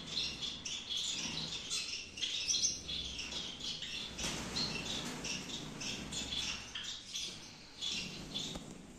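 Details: Many Gouldian finches calling in a breeding aviary in Peshawar: dense, high, twittering chirps layered together, swelling slightly midway and continuing steadily.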